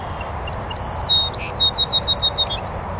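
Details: Singing from a bush on an oak savanna in the northern USA, next to a beaver pond, a North American Song Sparrow gives sparse high introductory chips, a buzzy note, then a fast string of about eight ringing repeated chirps.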